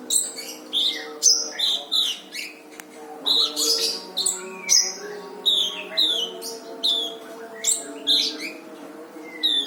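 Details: Brown-throated sunbird singing a dense, busy song as a tutor recording for training other birds: rapid bursts of high, sharp chirps and descending whistled slurs in close-packed phrases, with a steady low hum underneath.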